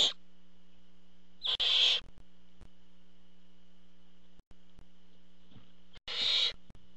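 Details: Nest-camera barn owl, the male arriving with prey: the tail of one call, then two loud breathy screeches several seconds apart, with scattered faint clicks and a low background hum.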